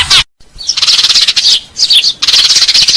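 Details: House sparrows used as a lure sound, giving rapid, high, scratchy chirps in bursts, with a short silence near the start and another gap around the two-second mark.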